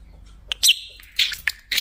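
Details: Pet budgerigar sitting on top of its favourite cage, a talking parrot: brief bright chirps and a squeaky warbled phrase in quick bursts with short pauses, over a quiet room.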